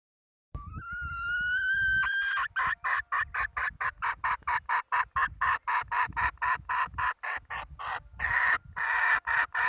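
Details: A hen opens with a long, clear, rising tonal note. A sustained run of rapid, harsh, pulsed notes follows for about seven seconds, over a low rumbling background.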